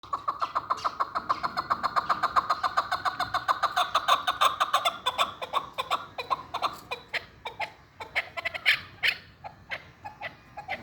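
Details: Hunting chukar partridge giving a fast, steady run of sharp clucking notes, about three or four a second, that loosen and grow more uneven and higher toward the end; a faint room murmur underneath.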